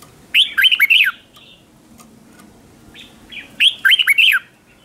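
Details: Red-whiskered bulbul singing as a decoy to call in other bulbuls, competition singing: two matching phrases of bouncy, slurred whistled notes about three seconds apart, with soft chirps between.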